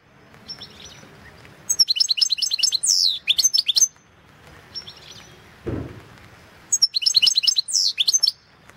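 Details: European goldfinch from the 2016 internet World Championship in Goldfinch Song; two long phrases of rapid twittering with jingling high notes and a drawn-out falling buzzy slur, separated by a quiet gap with a low thump.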